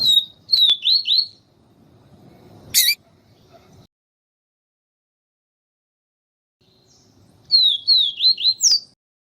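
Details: Yellow-bellied seedeater, papa-capim in the siu siu song style, with a female calling to stimulate the male: two bursts of high, slurred descending whistles run together quickly, separated by a sharp click and a silent gap.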